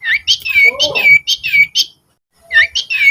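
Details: Master recording of a sirtu, the Rufous-fronted laughingthrush, used to train cage birds: rapid repeated high whistled notes, each ending in a sharp downslur, with a lower warbling phrase in between and a brief pause before another burst.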